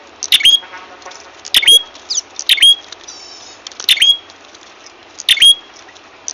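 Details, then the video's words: Ashy tailorbird call played as a trapping lure, with loud, shrill, clipped notes, each ending in a thin rising whistle, repeated five times at irregular intervals of about one to one and a half seconds over a faint hiss. "suara pikat burung prenjak kepala merah ampuh"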